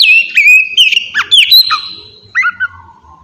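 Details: Oriental magpie-robin song used as a lure to make other birds answer: loud whistled notes, a long steady tone then quick rising and falling slurs, a sustained high whistle, and softer trailing notes fading out.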